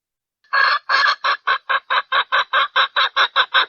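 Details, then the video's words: Female red junglefowl calling for males, a lure call used for decoying wild junglefowl: after a short silence, a steady series of clipped, hoarse clucks, about two and a half per second, continuing to the end. "เสียงไก่ป่าตัวเมีย เวอร์ชั่น 3 : ต่อไก่"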